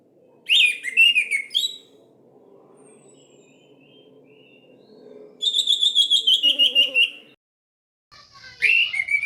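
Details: Song of an Orange-headed thrush played to coax silent birds into singing: varied whistled phrases separated by pauses, including a fast, evenly pulsed trill of about twelve notes and a final rising-falling whistle.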